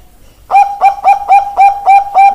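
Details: Zebra dove of the Bangkok type (perkutut bangkok) singing: after half a second of quiet, seven short clipped coos, each with a sharp start and a steady mid-pitched tone, follow about every quarter second in an even run.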